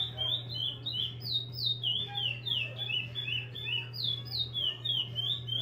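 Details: {'text': 'Repeater-style song from a captive-bred chestnut-bellied seed finch: bright whistled notes gliding down, grouped in short cascades of four to six, with a droning hum in the background.'}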